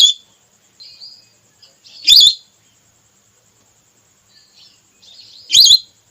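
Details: Female red whistling duck call used as a hunting lure: two loud, high, wavering whistles about three and a half seconds apart, with softer thin whistles between them.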